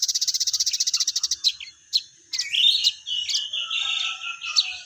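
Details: Crested jay (sogon) in full voice: a quick mechanical rattle of evenly spaced high notes opens, followed by sharp clicks and a long, wavering squeaky whistle.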